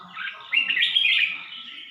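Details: Red-whiskered bulbul of Suan Phueng in Ratchaburi, Thailand, delivering one loud rich warbled phrase, bubbling and slightly rising, lasting under a second.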